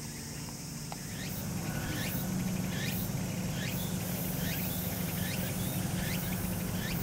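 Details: Little grebe chicks following their parent under lotus leaves at Karasuma Peninsula, 16 August 2015, in late-summer heat, give thin, high, quickly repeated peeping chick calls over a steady low rumble of traffic.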